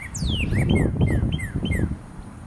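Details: Male northern cardinal song from 22 February 2013: one long falling whistle, then a string of short down-slurred chirps repeated about every quarter second, loud and clear above low background rumble.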